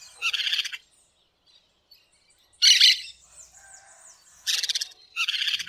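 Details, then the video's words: Green parakeets in the wild give four harsh, grating screeches spaced by pauses, with faint thin whistled notes in the background between them. "Periquito Cantando na Natureza"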